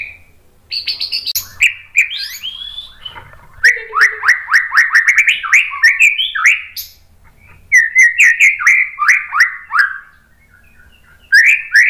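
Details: White-rumped shama provoking other shamas to sing: long sequences of rapid, repeated slurred whistles, about four per second, mixed with higher chirps and brief pauses.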